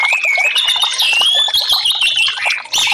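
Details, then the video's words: Continuous warbling song of an orange-headed thrush, used as therapy to get silent caged birds singing; fluid, wavering high whistles run together for nearly three seconds before a brief break and a fresh burst. "TERAPI Burung Anis merah"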